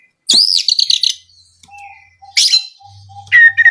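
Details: Oriental magpie-robin (kacer) song played as a lure: a loud rich whistled phrase, a quiet gap with a faint steady tone, then two more bright whistled bursts.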